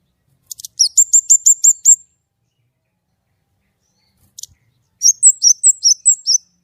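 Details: White-rumped shama firing off 'nembak' phrases in clear voice: a crisp series of six identical high sharp notes repeated rapidly, a pause with a click, then a run of quick twisting high whistles.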